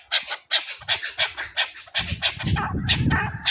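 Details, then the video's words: Chukar partridge linked to hunting, regular harsh chuk notes repeated rapidly, then masked by a loud low rumble during the second half. "chakoor awaz keklik sesi"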